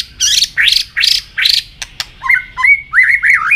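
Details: White-rumped shama singing in a contest while flicking its tail: four loud rising sweeps, two sharp clicks, then fluted whistles bending up and down, over a low background hum.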